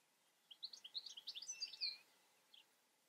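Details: Short, quick run of bright twittering and buzzy high notes from a European goldfinch, ending in a drawn note, followed by one soft call.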